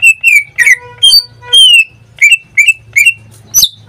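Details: Greater green leafbird, a caged pet singing almost daily, gives a run of loud, sharp notes dropping into clear whistles, about ten bursts in four seconds, ending in a harsh rising note; steady low hum underneath.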